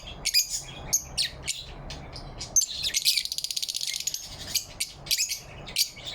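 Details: Morning lovebirds, November 4, 2023, chirp happily: scratchy high chirps, a brief burst of rapid pulsed trilling near the middle, then more scattered chirps.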